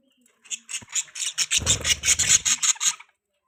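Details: Pet budgerigar chirping: a quick run of about a dozen sharp, high, bright chirps over roughly two and a half seconds, with a low rumbling noise underneath partway through.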